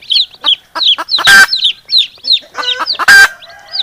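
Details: Hen and chicks calling back and forth: a steady string of high, thin, downslurred chick peeps, with two loud, rough, broadband hen squawks breaking in.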